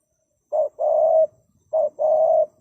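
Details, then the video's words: Spotted dove's mellow call: a short coo and then a longer, even coo, repeated twice in under three seconds, with nothing else heard. "The Sound of Spotted dove"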